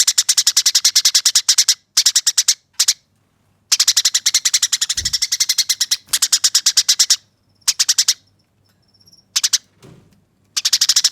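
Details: Harsh, clear rolling chatter of a Eurasian tree sparrow in fighting mode, meant as training audio, comes in repeated choppy bursts of quick buzzy chirps separated by brief silences, with a couple of soft thumps.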